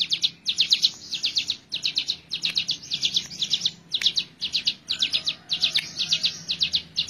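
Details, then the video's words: Hill prinia song used as a master for teaching birds: dense, repeated bursts of shrill, rapid notes, roughly two bursts each second, sustained throughout with a brief sharp click in the middle. "Ciblek gunung super gacor"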